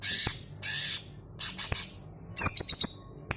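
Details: A lively greater green leafbird used as a lure to prompt singing: loud rasping squawks about every half second, then a rapid flurry of sharp, ringing metallic notes, with a faint low hum underneath.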